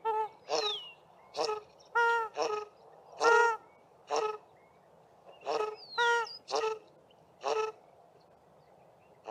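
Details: South African shelduck pair duetting at sewage ponds at Mayfield, Grahamstown: the male gives a lower-pitched honk and the female a higher-pitched call, with nasal honks repeated about once a second and occasional thin descending squeals.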